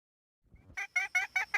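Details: After a faint low rumble, a hen gives a short run of loud, harsh, evenly spaced clucks.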